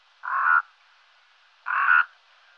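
Brown-necked raven giving two harsh, rasping croaks, each under half a second, spaced about a second and a half apart; nothing else heard.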